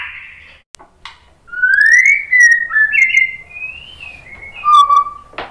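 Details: Pure, slow whistled phrases of a White-rumped shama, used to provoke other shamas to sing: smooth rising and falling notes linked in a gliding series, then a lower held whistle.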